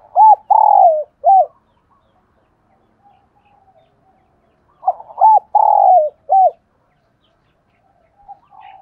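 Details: Spotted dove cooing in the morning: two phrases of four low, mellow notes each, a short coo, a longer drawn-out falling coo, then a brief closing note, separated by a few seconds of near silence.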